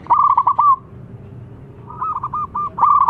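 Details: Zebra dove, a local Indonesian perkutut, calling loudly to lure others: bursts of rapid, trilled coos near the same pitch, two phrases separated by a quiet gap, with a low background hum.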